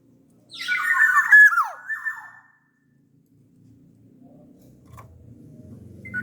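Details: Sumbawa black-naped oriole singing actively as a lure recording: one loud burst of harsh, scratchy notes blending into a falling whistle, followed by several seconds of low rumbling background noise.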